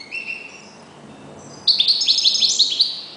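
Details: Decoy goldfinch in captivity gives a thin faint note, then bursts into a rapid, bright twittering phrase of high tinkling notes lasting about a second and a half.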